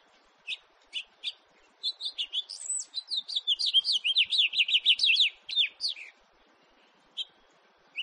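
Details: House finch in 2018: several spaced single chirps lead into a long, quickening warble of sweeping notes lasting about four seconds, followed by scattered isolated chirps.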